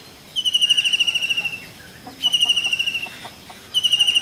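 Common Kingfisher giving three bursts of rapid, shrill, high whistled notes, each run about a second long, with faint lower chirps in between.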